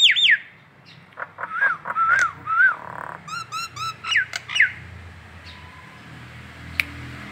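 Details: Collared kingfisher calling in the morning in Indonesia with the ngekek call: sharp falling whistles, short clipped notes and slurred whistles, a quick run of bright chevron notes, then fading to a faint background.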